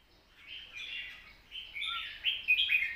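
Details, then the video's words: Caged red-whiskered bulbul, long soft-voiced song in wild-style phrasing. Quiet, slurred warbling phrases rise gradually into a few sharper, higher whistled notes near the end, with faint background hiss. "เพลงยาว ปากเบา ร้อง+ริก /สำนวนป่าๆ"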